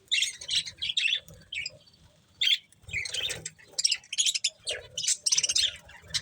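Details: Pet budgies munching corn make scattered short chirps and quick twittering phrases with uneven gaps, plus soft low crunching or tapping noises.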